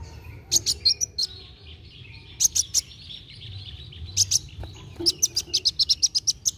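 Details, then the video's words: Kolibri wulung sunbird in quick, lively song used to rouse young birds into singing: scattered pairs of piercing high chips, then a closing run of about ten evenly spaced sharp notes, with a faint buzzy wash behind. "KOLIBRI WULUNG GACOR NARUNG CEPAT MERANGSANG BUNYI BURUNG BAKALAN"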